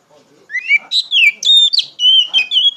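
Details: Loud, open ngeplong song of an Oriental magpie-robin, used to lure and tutor untrained magpie-robins: rising whistles leading into a rapid chain of clear, varied, high whistled phrases with slurred and warbling notes.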